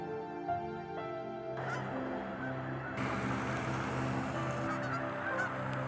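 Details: Snow geese, a dense flock of many thousands at Middle Creek, central Pennsylvania, on 11 March during spring migration stopover, landing and taking off over a misty lake, give a clamor of overlapping honks and yelps; soft background music plays throughout.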